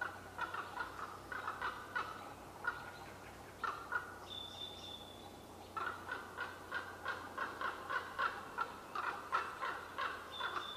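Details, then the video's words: Conversation between two common ravens hidden in trees, Qualicum Beach, May 23, 2011, occasionally sounding contentious. Bursts of fast, clucking, knocking calls with a pause in between, and a clear high whistled note from another bird. "Two Unseen but Loquacious Ravens Conversing in Qualicum Beach May 23, 2011"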